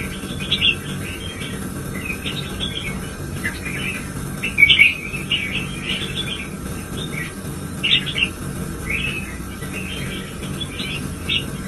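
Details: Pet red-whiskered bulbul urged into fierce singing, repeating short, lively chirping phrases about once a second, with a constant faint whine and low hum behind it.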